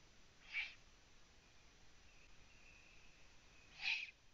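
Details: Eurasian eagle-owl, Latvian live nest camera, 03:27 on 9 June 2017, prey being delivered: two breathy, hissing screeches roughly three seconds apart, with a faint thin tone between them.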